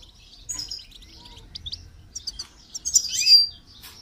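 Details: Goldfinch singing during song training, with quick high twittered notes and short buzzy slurs that build into a louder, fuller trill in the final second.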